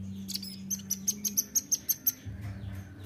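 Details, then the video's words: Nuthatch call for luring: a clear run of about a dozen sharp, very high ticks, slightly quickening, then a low thud and hum. "PANCING BUNYI RAMBATAN"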